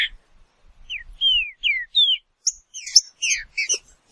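Green-winged saltator singing a quick run of clear, slurred whistles, some falling and some rising, then a burst of higher, sharper notes.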